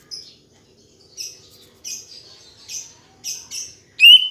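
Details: Green leafbird song used to prompt other leafbirds to sing: a series of thin, high buzzy chirps spaced about half a second apart, closing with a loud clear whistle.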